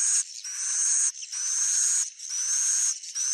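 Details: Swiftlet, stated genuine: three long harsh buzzy high-pitched phrases, each about a second, separated by brief breaks and crossed by a faint steady whistle.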